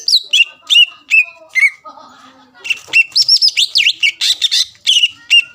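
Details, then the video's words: Greater green leafbird in full song, played as a lure to provoke rival birds into answering: sharp whistled notes sweeping down to a steady pitch, fast varied phrases with buzzy trills and a brief pause near the middle. "PANCINGAN CUCAK IJO GACOR MEMANCING EMOSI LAWAN LANGSUNG NYAUT"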